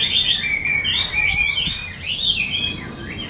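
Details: Chinese hwamei of the mơ type, a caged bird kept by a skilled keeper, singing a continuous warbled stream of high whistled phrases that slide up and down, with no pauses across the stretch.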